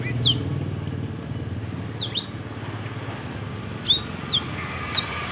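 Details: Black-throated canary singing actively as a clear tutor recording for training songbirds: sharp, high, downslurred whistled notes given singly or in quick pairs, spaced unevenly, over a steady low rumble like traffic.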